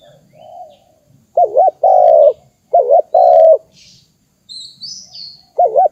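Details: Spotted dove call used as a lure to stimulate and trap wild doves: repeated cooing phrases, each a quick wavering double note followed by a longer, steady, slightly falling coo, in a quiet setting with faint high chirps.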